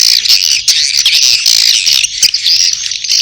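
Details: High, squeaky swiftlet twittering, a mating call overlaid with chick calls, steady and dense with a brief pause just past two seconds.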